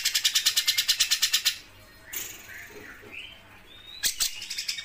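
A Grey-cheeked Bulbul gives a fast, buzzy rattle of about thirteen clipped pulses in under two seconds, like a sewing machine, then a few short whistled notes.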